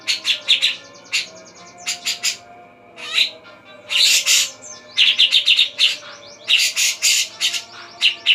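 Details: Javan black-capped babbler (cucak jenggot) singing vigorously: quick series of sharp whistled chirps, noisy harsh bursts and short buzzy trills, repeated in clusters.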